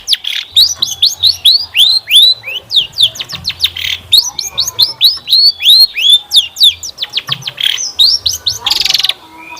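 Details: Long-tailed shrike song used as a lure to prompt other birds to sing: long run of rapid, arching whistled notes repeated several times a second, with a harsh burst near the end.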